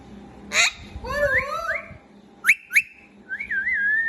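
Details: Pet parrot, described as a parakeet trained to whistle and talk, indoors giving clear sliding whistles: rising and wavering tones, two sharp upswept notes, then a long warbling whistle.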